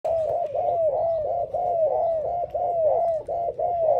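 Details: Spotted dove singing, a steady series of arched, downslurred coos repeated about once a second, each note full and mellow with faint higher overtones, close and clear against a quiet low background hum.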